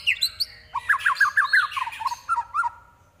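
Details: Mimicking white-rumped shama, its song holding prinia, kapas tembak and eagle imitations: a few high notes, then a chattering run of short lower slurred notes that fade at the end.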